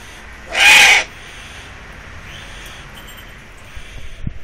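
A Eurasian eagle-owl gives one harsh, hissing screech about half a second long. A faint thin tone and a soft knock follow in the quiet afterward.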